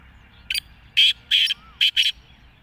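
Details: Black francolin (kala teetar) giving a grating, rasping call of short loud bursts in a rhythmic series, with a faint low background hum.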